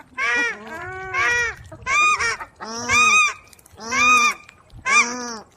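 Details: Paradise Shelduck, a New Zealand endemic, giving loud nasal honks about one per second, each a harsh rich note, some doubled, in a steady series; males give loud honking alarm calls, while females are higher pitched.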